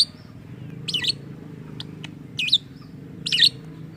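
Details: Caged lovebird said to copy a human voice utters three sharp, squeaky chirps spaced under a second apart, with faint clicks between them and a continuous low hum in the background.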